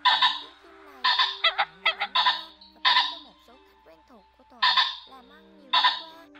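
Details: Calls from a ring-necked pheasant pair summoning the flock: coarse, hoarse bursts, some doubled or tripled in rapid series, others single and drawn out, with faint lower warbling and a steady low tone in the background.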